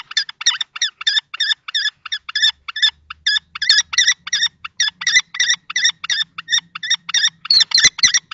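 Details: Common kestrels, two males fighting over a nest box in Théding, France, on 20 March 2024, a younger juvenile-plumaged male against an older adult male: fast shrill repeated notes, about three per second, harsh and ringing, in a steady run.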